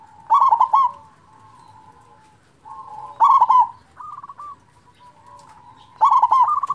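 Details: Local zebra dove with a loud voice, used to provoke silent zebra doves and raise their urge to sing; three bursts of fast, rolling coos about every three seconds, each followed by softer sustained trilled notes.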